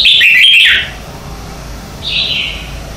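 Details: Red-whiskered bulbul morning song used as a training decoy to spur singing: a loud, fast warbled phrase of bright whistles, then a softer descending whistled phrase after a pause of about a second.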